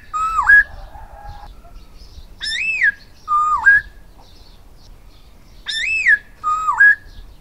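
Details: Song of a silver-eared laughingthrush: strong whistled phrases that rise then dip, alternating higher and lower notes, roughly four phrases spaced a second or more apart against a quiet background.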